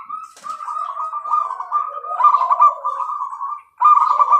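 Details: Zebra dove giving a long continuous trilled coo, a steady vibrating note with a lower undertone, briefly pausing before another loud burst.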